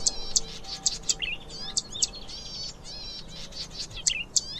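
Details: Cisticola juncidis, the zitting cisticola or streaked fantail warbler: crisp, very high tick notes repeated at fairly regular short intervals, interleaved with warbling and bubbling phrases from several other singing birds.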